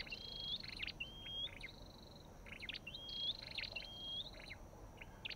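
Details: Olive-backed tailorbird calls repeat in pairs. Rising whistled notes are interleaved with sharp, stuttering chirps, then a short pause, against quiet hiss.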